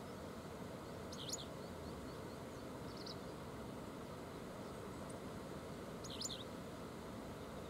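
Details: A Japanese wagtail by the Oita River at 7:14 on 30 July calls to its companions. It gives three short, sharp, high chirps a few seconds apart over a steady roar of rushing water and distant traffic.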